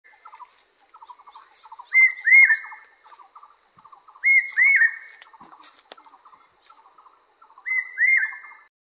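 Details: Barbets singing: loud paired upslurred whistled notes come about every three seconds over a steady run of softer, rapidly pulsed lower notes.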